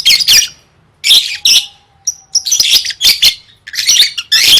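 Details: Lovebird song used for gantang contest practice, sung in gacor style: loud harsh chattering bursts separated by short pauses, shrill rasping notes, and a thin steady whistle-like tone in the middle.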